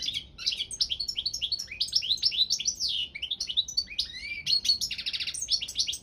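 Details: Competition European goldfinch of the Balkan subspecies singing continuously: rapid tinkling twitters, upslurred whistles and a short dry buzzy rattle near the end, lively and unbroken.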